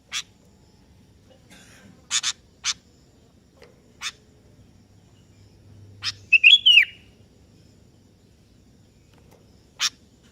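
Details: Sooty-headed bulbul (kebo) calling a rival that answers; a single bubbly, falling warbled phrase midway, surrounded by scattered sharp clicks or taps at irregular intervals and a low hum.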